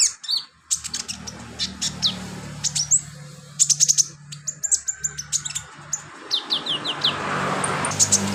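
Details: Filler song of a trained sunbird: a lively stream of very high, rapid chirps, clicks and short down-slurred whistles, tumbling on for several seconds with low hum and rustle beneath.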